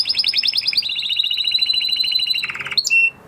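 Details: Male canary singing after its moulting period during song training: rapid trills of repeated notes, first pulsing fast, then a steady rolling trill, shifting to a lower buzzy segment and ending with a sharp high whistled note.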